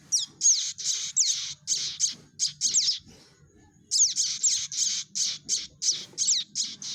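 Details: Prinia chick calling as a trapping lure: fast, insistent series of high, scratchy chirps and down-slurred squeaks, briefly pausing near the middle before resuming at the same quick pace, over a soft low hum.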